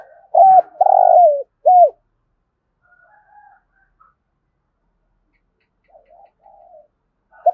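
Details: Spotted dove used as a decoy for wild doves, singing a 'thúc gù' coo: quick hoot, long throaty burred note dropping in pitch, then a short final coo, followed by faint quiet murmurs and one last note.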